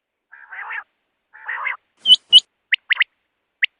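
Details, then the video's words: Quail calling: two soft, nasal, buzzy bursts, then two sharp high clipped notes, followed by quick short whistled strokes in pairs and singles, with no other sounds. "don batair ki awaz|batair ki awaz|quail sound"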